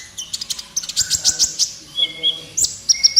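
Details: Lively singing of the kolibri ninja sunbird, used to train captive birds: rapid high twittering notes, a few soft lower whistles, then three thin piercing chips at the end.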